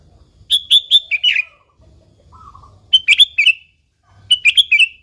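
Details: Sooty-headed bulbul in vigorous gacor song, recorded without fill-in birds as a lure to set other bulbuls singing. Three quick strings of four or five bright, rolling notes fall slightly in pitch, with a faint soft note between them.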